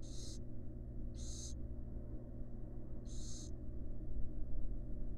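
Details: In a wild barn owl nest box where a mother rests beside her chicks, three harsh, noisy hisses sound in quick succession, then quiet with a low hum.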